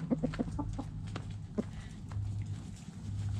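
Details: Chickens digging in the dirt give a quick run of short clucks in the first half second, then one more cluck near 1.6 seconds, over low rustling and scratching.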